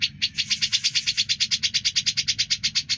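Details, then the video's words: Energetic grey-cheeked bulbul, offered as a tutor for stressed cucak birds, gives a brisk, even series of sharp, bright notes at about three per second. "Suara Burung cucak jenggot gacor"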